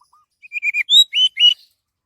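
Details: Orange-headed thrush, song used as a lure to prompt other birds to sing: one brief phrase of six loud, rapid whistled notes, slurred and rising-falling, after two faint soft opening notes.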